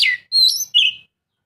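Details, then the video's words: Oriental magpie-robin song, played to get a silent bird singing: three quick phrases of a falling sharp note, a high thin whistle and a buzzy warble, then silence. "Kacer mana yang gak lasung bunyi dengar suara kacer ini"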